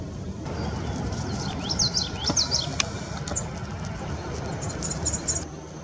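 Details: Male northern red bishop at San Joaquin Wildlife Sanctuary, Irvine, California, June–August 2016: short bursts of high, thin chirps and sizzling notes in a few clusters, over a steady low rumble of wind or distant traffic.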